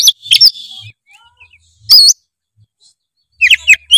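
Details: Oriental magpie-robin (kacer) in vigorous 'gacor' song with full 'isian' (mimicry filler), played as a lure to make a reluctant bird sing: loud, sharp whistled and buzzy chattering bursts separated by brief silent pauses, with faint low thumps.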